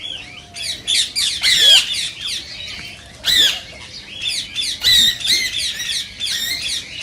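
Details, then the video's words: Rose-ringed parakeets, sound to encourage singing and mating; irregular bursts of shrill grating squawks and screeches, some rising whistled strokes, with quieter gaps between the bursts. "صوت ببغاء الدرة الخضراء"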